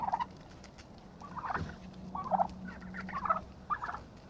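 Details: Turkeys fighting to establish a pecking order; short purring, trilled notes in separate bursts about once a second, with a thud near the middle and a steady low hum beneath.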